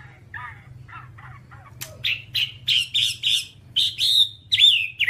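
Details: Whambie song, one-hour tutor recording: a few soft, buzzy chirps, then a series of loud, burry whistled notes repeated roughly every third of a second, ending in a drawn-out slurred whistle.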